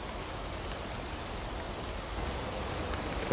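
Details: Steady outdoor rushing noise on a nature walk near Oudegein, like wind or distant traffic, with a brief handling bump at the end.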